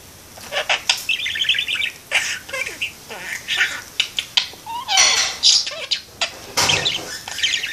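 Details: Pet parakeet hanging out in a window and talking: dense chatter of clicks, harsh bursts and short warbled runs, rising in loudness toward the middle, with chirps between.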